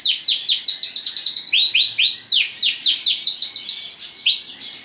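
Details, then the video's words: Caged male Lancashire canary, lemon-coloured, in full song: fast repeated chirps forming rolling trills, a short run of lower swelling notes, then another long trill that fades at the end. "كناري لونك شاير ليموني فول"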